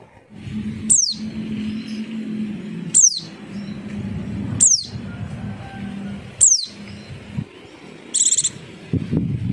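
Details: Javan white-eye call used as a lure to make other birds answer: sharp, very high, downward-sweeping chirps repeated about every two seconds over a steady low hum, with a short higher buzzy note near the end.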